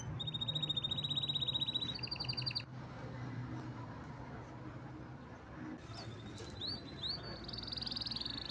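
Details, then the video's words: Canary singing steady high rolled trills for two seconds, then a quieter stretch with low background noise, followed by short sweeps and a rising sustained trill. "Canary's most powerful song"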